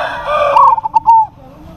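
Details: Local zebra dove calling out to a rival, which answers. One loud phrase of quick stuttering coos ends in a longer drawn coo, over a low background hum.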